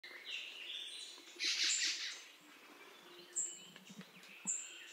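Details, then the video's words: Black-throated magpie-jay giving a loud, harsh, rasping burst of under a second after a thinner buzzy opening note, while other birds add brief, very high, thin whistles over a steady background hiss. "Black-throated Jay Bird Call"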